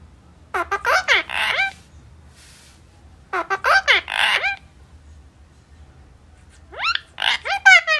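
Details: A talking parrot asking where papa has gone: three bursts of squeaky, speech-like phrases with sweeping pitch, separated by quiet pauses.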